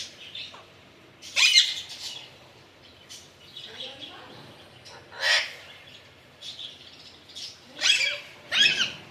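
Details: Pet Alexandrine parakeet giving short, harsh, grating squawks at irregular intervals, some single and some in close pairs, separated by quieter gaps with faint room noise.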